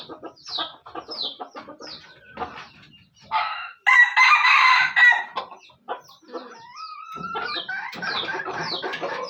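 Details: Speckled wild junglefowl from Aceh: a loud, hoarse, harmonic crow of about one and a half seconds in the middle, set among many quick, high, downslurred chirps from small birds and scattered clucking notes.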